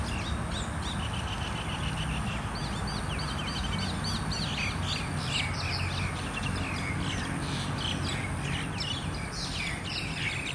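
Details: A group of mynas fighting trade a rapid, overlapping tangle of harsh chatters and squeaky chirps, with a steady low rumble of background noise throughout.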